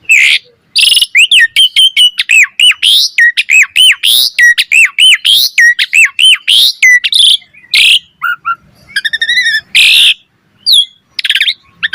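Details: Tutor song of an Asian pied starling in full, lively voice with rich fill-in notes: a long run of quick, hooked whistled notes at a steady pace, then a buzzy rippling trill and scattered harsh bursts.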